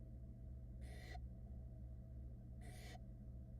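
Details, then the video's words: Nestling barn owls in Florida, caught on a nest camera, hiss at their mother while she dries off after getting wet. Two short, noisy screeches sound nearly two seconds apart, with a low steady hum underneath. "Mommy owl tries to dry off after getting wet and the kids are not having it"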